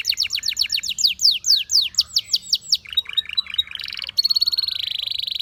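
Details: A Belgian canary sings slow, loud, falling slurred notes in a steady series, then switches to a steady high whistle and a rapid, rattling buzzy trill.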